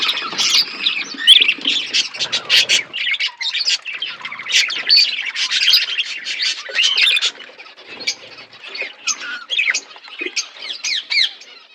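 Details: Budgerigars feeding as a flock: busy overlapping high chirps and warbled squawks, loudest in the first seven seconds, then sparser single chirps and soft chatter.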